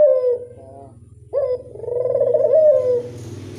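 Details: Ringneck dove lure coos, one falling coo and then a rising note into a long purring coo, over a steady low rumbling hum and some hiss.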